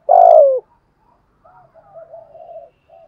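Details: Spotted dove cooing used to lure wild doves: a single strong, level then falling coo at the start, followed by faint, wavering soft coos.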